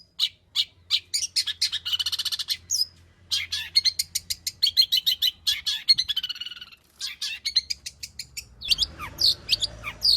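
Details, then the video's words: Energetic long-tailed shrike song rich in mimicked material, played to prompt other cendet to sing: long stream of sharp high chips, buzzy trills and fast rattles, ending in scratchy slurred notes. "burung cendet gacor FULL ISIAN pancingan Cendet AGAR BUNYI Cendet Bongkar Materi"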